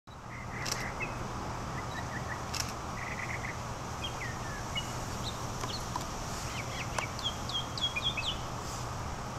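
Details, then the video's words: Northern mockingbird singing at Fort De Soto, a long song with many different sounds: short varied phrases of chirps, trills and upslurred notes, some repeated in quick series, over steady low background hum. "Mockingbird at Fort De Soto"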